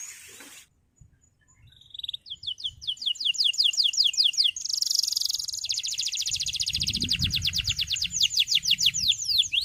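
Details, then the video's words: Male canary singing, played to stimulate young canaries: after a short noisy start and silence, a short whistle leads into fast downward-sweeping notes and a long rapid buzzy trill, with low rumbling noise in the later part. "Cuit Cuit Kenari Memanggil Lawan Ampuh Merangsang Bunyi Burung Kenari Ngeriwik Saja Biar Cepat Gacor"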